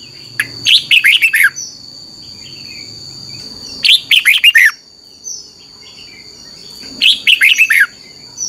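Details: Red-whiskered bulbul song played to train caged birds: three bursts of rapid, sweet whistled notes sliding downward, about three seconds apart, over a steady high whine and faint low rumble.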